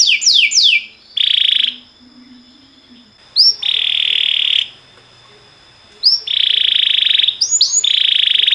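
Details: Canary singing for training canaries, timbrado type: a few falling whistles, then long steady rolled trills each begun by an upward slide, separated by short pauses.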